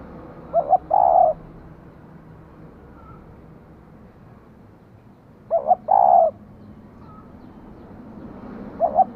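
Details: Female spotted dove kept to stimulate a male, calling in short bursts: two quick clipped notes then a fuller coo, repeated about every five seconds over a low background hum.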